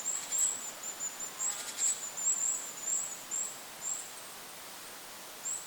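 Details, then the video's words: Goldcrest over a forest lake: fast series of high, needle-thin call notes, roughly two per second, fading out near the end, with wind hiss underneath. "Goldcrest bird call in the forest! Goldcrest call with wind noise in the background."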